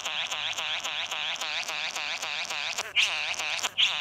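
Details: Male Satin bowerbird courting a female at his bower filled with blue plastic on a suburban street verge, Australia, October 2018: a steady, buzzy, rattling churr of rapid pulses, broken near the end by two sharp, louder notes.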